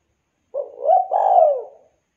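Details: Spotted dove in active voice, calling to its companions: a low, mellow two-part coo, a short hooting note followed by a longer, rolling croo that slides gently downward, set against a silent background.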